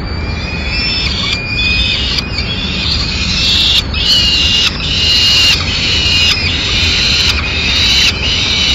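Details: Peregrine falcon at a nest with chicks in Madrid as the male brings a swift for breakfast and feeds them; harsh, drawn-out harmonic wails repeated roughly once a second over a steady noisy hiss.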